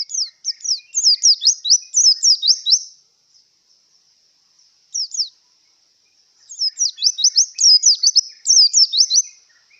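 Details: High-pitched twittering song from a white-eye in breeding condition, given as rapid strings of sharp slurred chirps lasting a couple of seconds. Bursts are split by a quiet pause and one short phrase, then resume busily.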